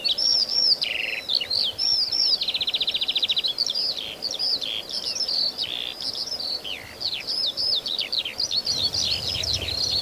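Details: A Eurasian skylark in the fields near Berga/Elster, Germany, pours out a continuous, high, rapid warble of chirrups, trills and buzzy rattles, with faint low rumbling behind.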